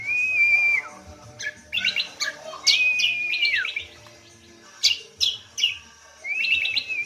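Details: Cucak kombo, also called kacial lombok, singing as a lure for training songbirds: clear level whistles alternating with sharp high chattering bursts and scratchy notes, in irregular phrases separated by short pauses.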